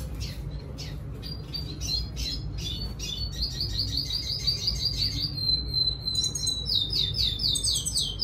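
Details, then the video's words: Red siskin, also called gray singer finch, singing to lure a female: rapid high chirps give way to fast, buzzy trilled phrases and repeated sliding notes, continuous and lively, with steady low background hum. "Redsiskin sing a song , gray singer finch , thạch xám hót dụ mái"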